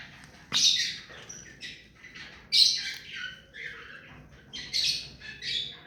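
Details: Tame ring-necked parakeet giving loud rasping squawks roughly every two seconds, with quieter scratchy chatter in between.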